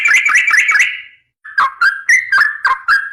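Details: Trucukan garuda, a sooty-headed bulbul in gacor form for masteran tutoring: a quick run of warbled notes, then a pause, then spaced liquid whistled phrases that dip and rise, about three per second.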